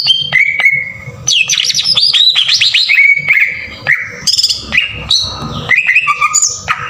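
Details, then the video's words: Green leafbird song used as a lure to trigger singing, a loud varied run of whistles, rising and falling slurs, buzzy chatters and sharp chips, over a constant low hum. "PANCINGAN PENDONGKRAK EMOSI CUCAK IJO TEMBAKAN KASAR"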